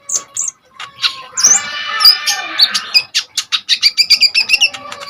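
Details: ['Kolibri ninja sunbird singing hard as a lure and master for other birds: high chips, a rough noisy burst, then a quickening series of sharp ticking notes, about two per second rising to faster.']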